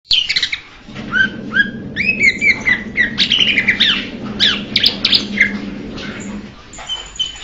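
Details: Blue-winged leafbird giving a lively run of varied whistled notes, short rising and falling slurs and sharp chips, packed closely over several seconds, with a steady low hum underneath.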